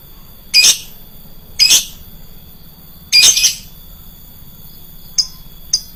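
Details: Lovebird lure recording with a shrill voice: four or five harsh, piercing squawks, separated by about a second of quiet, the last two short and thin, over a faint steady high hum.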